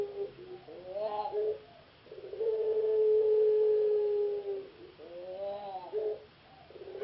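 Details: Ringneck dove of the puter pelung variety, a caged contest bird that reached a semi-final in Jogjakarta. A brief rippling lead-in is followed by one deep, smooth coo held about two and a half seconds, then the pattern repeats.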